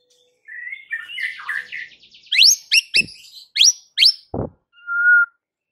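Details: White-rumped shama singing to provoke rivals: a rambling warbled run, then sharp upward-sweeping whistles, a low harsh note and a final level whistle.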